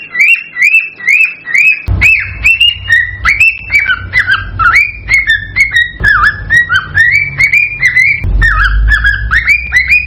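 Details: Excited male cockatiel warbling to prompt a female toward mating: repeated whistled notes that rise then dip, about two each second, with a low hum in the background.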